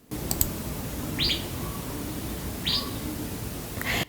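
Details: A fairy-bluebird call, a model that the racket-tailed drongo mimics: short, sharp whistled notes, each a quick slurred sweep, repeated about every second and a half.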